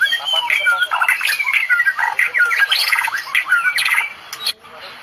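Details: White-rumped shama, Medan type, singing a full 'tembakan' in the Cililin style; dense run of whistled slurs, chattering notes and sharp rising and falling phrases around mid-high pitch, with a brief buzzy burst near the end.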